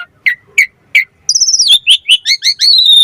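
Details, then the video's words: Asian pied starling song for training and luring starlings: three spaced chirps, then a long run of rising and falling whistled notes over a sustained tone. "Suara Jalak Suren Mompa Variasi AMPUH Buat Masteran & Pancingan Burung Jalak Agar Full Gacor Isian"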